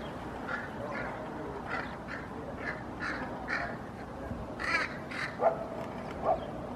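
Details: Hooded crows react to a common raven in a park in Helsinki, Finland, in May 2024. A steady series of short, rough caws roughly one per second, closing with a few louder, sharper notes.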